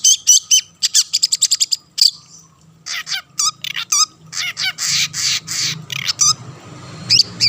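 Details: Long-tailed shrike in full song to entice rival shrikes to sing: a quick series of sharp repeated chips, a short gap, then chattering rasps and twisting whistled phrases running to the end, with a low steady hum.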